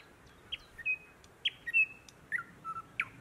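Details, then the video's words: In June 2018 in Matsalu National Park, Estonia, a thrush nightingale sings short phrases of sharp chirps and clear sustained whistles near two to three kilohertz, with brief pauses between notes; quiet background otherwise. "Thrush nightingale / Luscnia luscinia / Ööbik"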